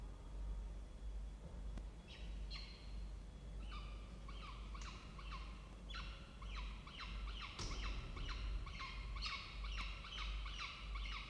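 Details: Peregrine falcon at a nest box in a water tower at Charles Sturt University, Orange, New South Wales, Australia, 16 October 2024, 07:21, where a falcon family nests. Harsh, ringing notes repeated about one and a half times per second over steady low hum.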